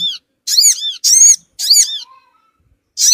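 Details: Sogon bird call used as a lure for small wild birds: three loud bursts of high, arched, squeaky notes in quick succession, then a pause and the start of another burst.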